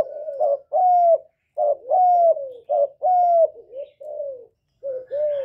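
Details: Spotted dove (cu cườm) singing loudly without background noise, a lure for captive birds; repeated two-part coos, a brief note then a longer sliding coo, around five phrases at a steady pace.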